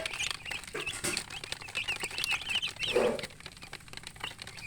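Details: Chicken chicks chirping: a flock of thin, high peeps, some short and some slurred, overlap throughout, with dense clicking and tapping noises and one lower, louder note near the third second.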